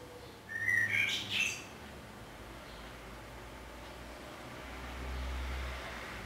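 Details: Common blackbird in Budapest on 27 May 2014, filmed from a window hide: a single brief fluty warble phrase with a high twittering end near the start. A soft low background hum fills the remaining seconds.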